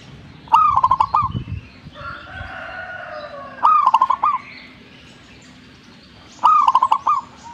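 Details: Zebra dove singing actively, with three bubbling coo phrases about every three seconds. Each phrase is a strong first note and then a rapid burst of short rolling notes. Between them are softer buzzy bird sounds and low thumps.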